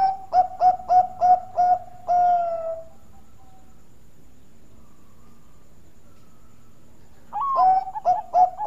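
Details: Bangkok-type zebra dove (perkutut) giving its melodious song, used as a lure to set other doves singing: a quick run of five soft, mid-pitched coos ending in a longer drawn note, a pause, then another rapid burst of coos.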